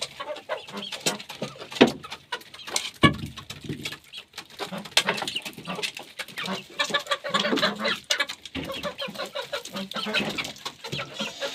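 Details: Chickens feeding, soft low clucks scattered among dense pecking taps and scratching clicks, with a few sharper higher calls standing out near the start.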